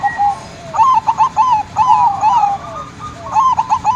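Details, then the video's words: Lure cooing of a local zebra dove (perkutut lokal): a mellow single note, then rapid rolling runs of gurgled coos in phrases separated by short pauses. Faint background hum. "pancingan perkutut"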